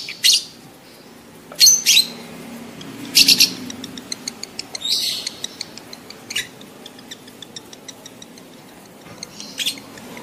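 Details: Lovebird mating call for encouraging adult birds to breed: isolated shrill screechy bursts every one to two seconds, with faint rapid clicking notes between them and a soft low background hum.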